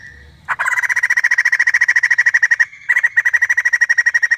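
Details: A female white-crested laughingthrush gives a sustained, piercing pulsed scream, about eight harsh beats a second, broken by one brief gap and then resumed at the same fast, steady rate.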